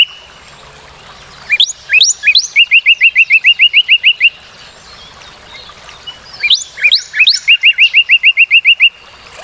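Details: Two Northern cardinal song phrases separated by a pause. Each opens with three rising slurred whistles and runs into a rapid, even string of about a dozen short downslurred notes.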